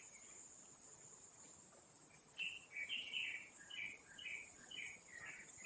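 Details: Taiwan blue magpie at Taipei Zoo, 7 May 2022 around 11:43, while raising young, gives a burst of short, squeaky chirps in quick irregular succession over a steady high hiss of insects.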